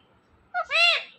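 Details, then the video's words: Pet green parrot that talks, giving a two-part mimicked word: a short nasal note followed by a drawn-out, bright harmonic syllable that rises slightly and fades, with a quiet indoor background. "Incredible Talkative Green Parrot"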